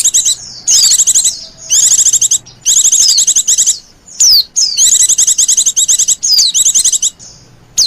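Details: Oriental white-eye calling to lure wild birds: a busy stream of high, rapid chattering bursts and quick descending whistles, about nine bursts in eight seconds with short pauses.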